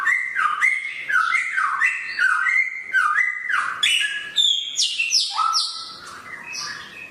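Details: Samyong bird with a sharp voice delivering a rhythmic series of loud, two-part whistled notes, falling then rising, then switching to harsh, high, buzzy squeals.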